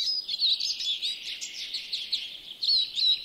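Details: European greenfinch from a yard in Joroinen, Finland, pouring out dense rapid twitters and rolling trills without a break, with thin descending whistles at the start and end.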